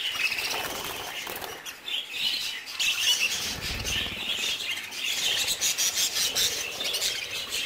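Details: Budgerigar chicks aged three months keep up continuous high chattering and twittering, several birds at once, with brief flapping and light rustle underneath.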